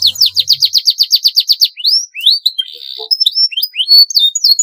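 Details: Rolling canary song meant as a master recording: a quick series of about eleven repeated sweeping notes, then mixed rising whistles, a brief buzzy trill and more upslurred notes; faint low hum at the start.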